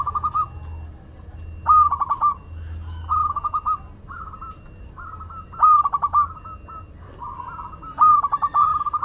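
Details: Local Madura zebra dove in energetic song: bubbly, stuttered coo phrases repeated in an uneven rhythm, loud rattled phrases mixed with quieter smooth ones, and a low drone behind.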